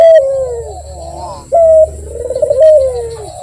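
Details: Melodious cooing from an actively calling Barbary dove, with a loud clipped opening note leading into a long rolling, falling coo, given twice in quick succession.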